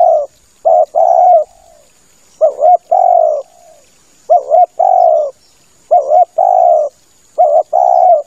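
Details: Male spotted dove call recorded as a lure for hunting doves. Clear, loud, mellow coos repeat in steady phrases about every one and a half seconds. Each phrase is a short, quick double note followed by a longer, drawn-out coo, over a faint steady hiss.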